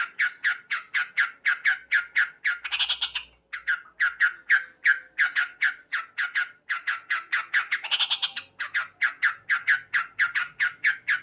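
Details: Male yellow-vented bulbul singing loudly at morning, long rapid trains of clipped, harsh notes with two higher, denser bubbling flourishes and brief gaps between phrases.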